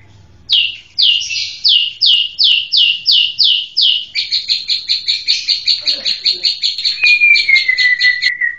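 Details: White-rumped shama song: a fast series of repeated high downslurred notes, about two per second, shifting into quicker buzzy trills, then ending on a long clear whistle that slides slowly downward.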